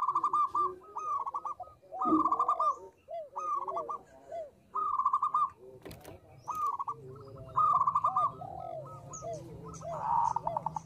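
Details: Zebra dove, local perkutut, singing actively as a lure sound: repeated short bursts of rapid, rattling coo notes about once a second, interleaved with softer curving lower coos, some faint background clicks.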